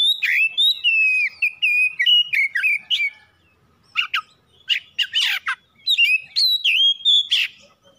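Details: Oriental magpie-robin singing a lure song used to make other birds answer: rapid varied whistles and chattering notes, a short pause, then harsh scratchy bursts mixed with bright whistled slurs.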